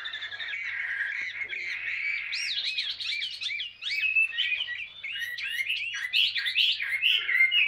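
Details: Chinese hwamei with greenish plumage, wild-caught and caged two years, sings a long varied song of warbles, upward whistles and rapid chirps, steady and loud throughout, a faint hum beneath.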